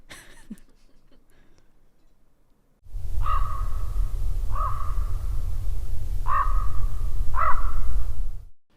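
Four throaty, ringing raven calls, each brief and even-pitched, spaced about one to two seconds apart over a heavy low rumble of wind or handling noise.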